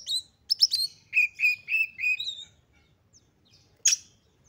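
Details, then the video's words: Oriental magpie-robin in a highly excited state, singing to stir other magpie-robins into song: a quick series of clear whistled notes around mid-high pitch, some sliding and buzzy, then a pause and one sharp high burst, over a quiet background. "KACER GACOR FULL EMOSI TINGGI// JOSS UNTUK MENDONGKRAK KACER LAIN AGAR CEPAT EMOSI DAN GACOR FIGHTER"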